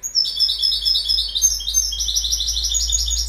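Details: Goldfinch song: a fast, tinkling twitter of high, buzzy, liquid notes running continuously for about three seconds, with no other sounds.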